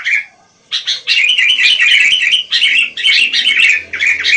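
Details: Wild sooty-headed bulbul, called kutilang, pouring out rapid, warbling chatter after a brief silence, notes tumbling together almost without pause.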